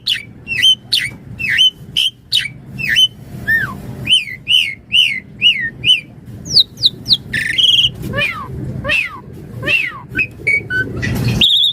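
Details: Javan pied starling song used as master and lure: quick series of whistled hooked notes, then descending slurs and scattered sharp calls, with background hum rising toward the end.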